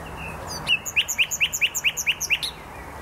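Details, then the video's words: Nightingale song from the Poznań botanical garden in Poland: one drawn note, then about a dozen rapid, evenly repeated sharp notes delivered in under two seconds. "Wyjątkowy śpiew słowika."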